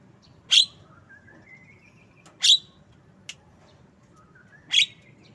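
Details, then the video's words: Javan myna giving three harsh, buzzy notes about two seconds apart, with thin rising whistles between them and a soft low hum. "Bird Song Jalak kebo"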